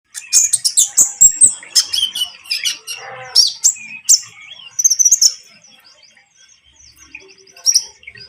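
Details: Konin lovebird in trotol style, calling to provoke a rival bird into singing: bursts of rapid, shrill, high chirps and squeaks, with a short rougher mid-pitched stretch in the middle and a quiet pause near the end.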